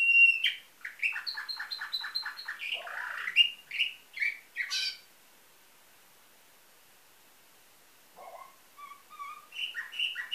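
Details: Nightingale-style canary from Varna, Bulgaria, 2013, singing rapid strings of clipped notes and a harsh burst, pausing silent for a few seconds, then resuming with soft rising whistles and chirps.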